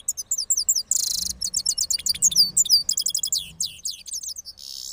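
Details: A cross (hybrid) goldfinch in Parachinar sings its rolling song after moulting: a fast, high, tinkling run of twitters and trills with a brief buzzy rasp near the start.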